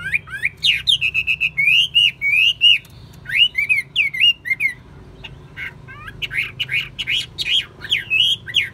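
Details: Caged Chinese hwamei song: repeated level whistles and rising-falling slurs, then a short pause before a faster run of sharp upswept notes; low background hum throughout.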